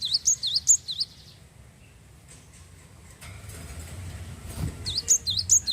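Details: Java sparrow, a prolific singer, used to stimulate other birds to sing: a run of high, quick V-shaped notes repeated about every quarter second at the start and again at the end, with a quiet, faintly noisy gap between.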